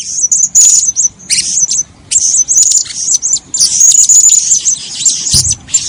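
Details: Blue-crowned hanging parrot calling, used as trapping lure: dense, continuous run of very high, thin chattering and sharp trilled notes with brief whistled strands, almost unbroken throughout.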